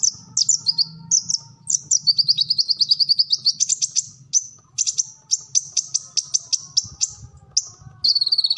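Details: Training recording of an olive-backed sunbird for captive birds: high whistles and a long fast trill, followed by many evenly spaced sharp chirps and a closing rapid burst, over low humming noise.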